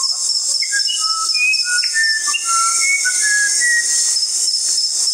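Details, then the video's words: Musician wren, a small active bird whose melodious song is heard year-round, above all in the breeding season: clear, pure whistled notes at varied pitches, some rising or falling, over a loud steady high insect hiss. "SONIDOS del CUCARACHERO MUSICAL"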